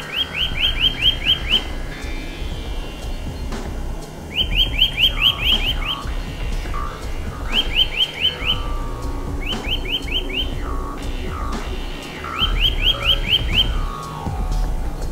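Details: Eurasian nuthatch song in a March forest, rapid series of rising whistled notes in several bursts, mixed with other bird calls, faint music and strong low rumble.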